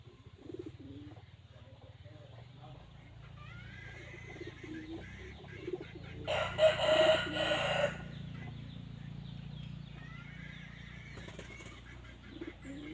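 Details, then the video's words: A red junglefowl gives a single strong crow of about a second and a half, harsh and drawn out, set against a steady low hum with faint distant bird calls before and after. "suab qaib qus dib tuaj zoo 100% poj dhia ceev"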